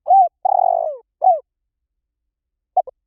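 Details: Spotted dove lure recording: an arched coo, a long trilled descending coo and a short falling coo, followed after a pause by the short pips that start the next phrase.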